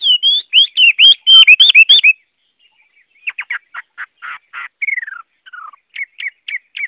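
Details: Chinese hwamei (Garrulax canorus) in full song: loud looping whistles and rich warbles, then a series of buzzy clipped notes, a descending slur and several short sharp chirps repeated.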